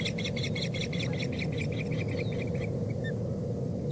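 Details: An osprey chick (Chick 1) on a Boulder nest imitates its mother's call with a fast run of thin, high chirps, about ten a second, then a few scattered notes, over a steady low rumble of wind.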